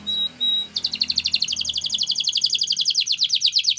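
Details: Canary singing a training song: two clear, short high whistles, then a long, fast rolling trill of rapid repeated notes.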